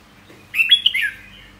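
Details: One rich warbled phrase from a red-whiskered bulbul, whistled notes rising and then slurring downward in a fast run.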